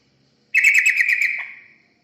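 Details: Yellow-vented bulbul, recorded as a lure to attract other birds: one bubbly, chortling phrase of rapid notes, ending in a short lower note and a fading tail.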